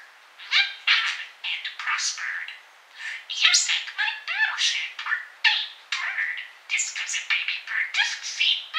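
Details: Pet parakeet indoors, chatting and babbling while snow falls outside during the Nemo storm on 8 February 2013. It gives a continuous run of high, scratchy warbles and mimicked word-like phrases, with brief pauses between bursts.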